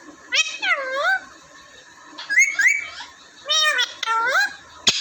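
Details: Talking parrots from Vehari, Punjab, Pakistan, two raw parrots plus a common one, give three groups of dipping, U-shaped harmonic calls, each a quick pair of nasal syllables.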